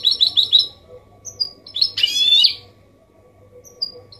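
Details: Goldfinch hybrid (mule) singing Malaga-style song: a quick run of bright, tinkling twitters, short whistled notes and a buzzy trill, with a low hum underneath.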